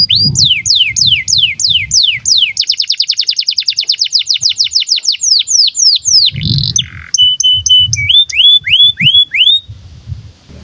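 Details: Canary in breeding condition, sung to train young birds: falling whistled swoops, a fast even rattle, a harsh burst, then level whistles and rising swoops, with low thumps.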